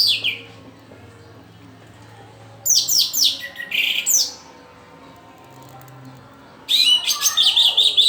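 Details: Young orange-headed thrush learning its song: bursts of rapid, high, chirpy twittering notes separated by quieter gaps, with a faint low hum in the background.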